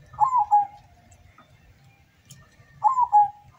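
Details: Zebra dove, a local bird from Windusari on the Sumbing slopes near Magelang, competing at a singing contest in Semarang regency, Central Java. It gives two clear cooing phrases, each a quick falling trill ending in a drawn-out note, over low background murmur.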